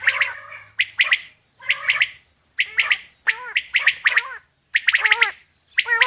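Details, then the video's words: Female common quail calling in short harsh bursts of two to four rapid squawky notes, groups repeated roughly every second with brief silent gaps between. "common quail female sound"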